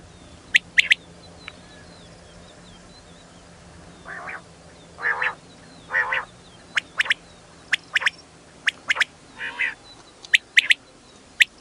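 A female quail gives short, raspy, nasal bursts in a loose series about a second apart, mixed with sharp high clicks and ticks.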